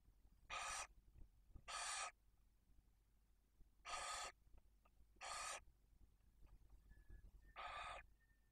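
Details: Breeding barn owls in Cabañeros National Park, Spain, the male supplying prey to the female and two chicks aged one and four days; five rough, hissing screeches in uneven sequence over eight seconds, with faint thin squeaks and rustling between them.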